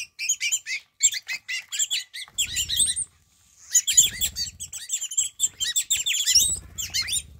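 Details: Wattled starlings, a flock that visits a Namibian garden every morning. Dense, loud chattering song of squeaky, rasping, whistled notes runs almost without gaps, with a short silence midway and low thumps or rumble in places.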